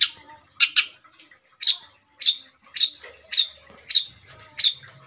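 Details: Long-tailed shrike song for luring other birds: a quick double note followed by a steady series of rasping, whistle-tipped notes spaced a little over half a second apart.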